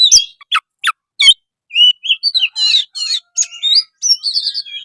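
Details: Oriental magpie-robin, called kacer, in lively song: a few sharp clicking notes, then scratchy chatter mixed with clear rising whistles and short trills.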